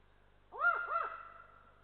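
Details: Warning call from an adult Eurasian eagle-owl at a nest in Estonia while a lynx passes: two quick arching, wavering barks trailing into a drawn-out nasal tone, with faint low hum behind.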